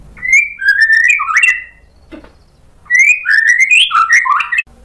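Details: White-rumped shama in full song, loud and sharp with learned filler phrases, used as a lure to make other birds answer; two bursts of loud, clear whistled phrases, rising and falling and run together, with about a second of near silence between them.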